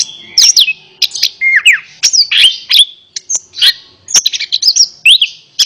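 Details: Orange-headed thrush song for coaxing a reluctant bird to sing: clear whistled phrases with steep downward slurs, interspersed with sharp clicks, delivered in quick bursts with short pauses.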